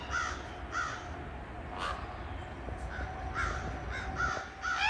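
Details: Crows and a baby raven calling back and forth, short harsh caws tumbling quickly one after another, some rough and broken, over a low constant hum.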